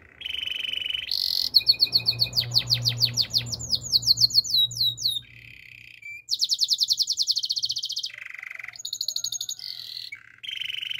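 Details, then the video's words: Canary song for training, from a Waterslager canary: a buzzy tone, then fast repeated downslurred whistles over a faint low hum, a pause, and long high rolling trills broken by lower buzzy notes. "Waterslager Canary Chirping! Canary's Training Song"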